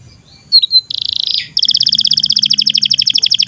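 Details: Canary song meant to train young canaries and silent birds: a couple of short chirps, a dense buzzy roll, then a very fast, steady high trill of rapid pulses.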